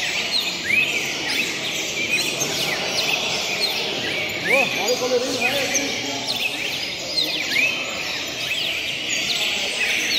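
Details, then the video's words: Red-crested cardinal singing during tournament training, clear whistled phrases with rising and falling slurred notes repeated every few seconds, overlapping with other birds and faint human voices amid steady background noise. "Torneio Fibra Cardeal Vermelho Encarte e Treino Roda"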